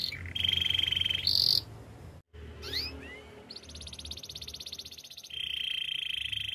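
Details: Canary singing for training against a hissy background: steady high trills, a short break, a few rising slurred notes, then a long, fine, pulsing trill.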